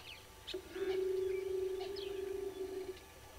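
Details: At Gowrie dam in Djuma Game Reserve, Sabi Sand Wildtuin, South Africa, red-billed hornbills call at 06:14 on 15 April 2022, giving a loud, fast run of low pulsed clucks lasting over two seconds, with faint twittering behind.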